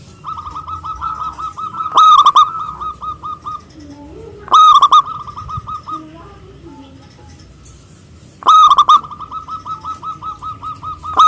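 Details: Big-voiced local zebra dove from Indonesia, singing emotionally to challenge rivals: three loud bursts of fast, ringing staccato coos, each trailing into a long run of evenly repeated softer cooing notes, with a few faint lower calls in between.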